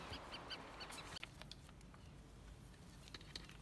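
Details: Chinstrap penguin walking in Antarctica: a quick run of short, harsh, nasal notes for about a second, then scattered clicks and scuffs against a low background rumble.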